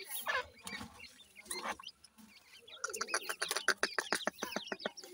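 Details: Grey francolin (dakhni teetar) chicks calling: after muffled handling noises, a fast run of short, sharp chirps, each rising then dropping, repeated several times a second.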